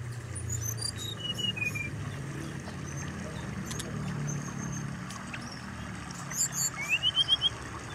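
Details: Brown-chested jungle flycatcher, sounds meant to stir breeding arousal and get the bird singing: scattered thin, high chirps and slurred whistles, then a quick burst of five rising notes near the end, over a steady low engine rumble.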